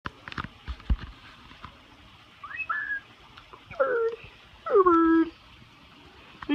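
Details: Pet parrot, happy on a first visit to a friend's aviary, fluffy-faced, talking: a few soft chatters, then two louder drawn-out squawky syllables with rising and falling tones, over faint room noise and clicks.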